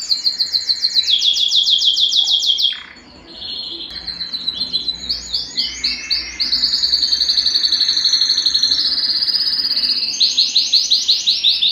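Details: Male canary song for breeding stimulation: chains of rapid descending syllables, a brief pause, then varied trills, sustained rolling tours and rhythmic repeated notes continuing to the end.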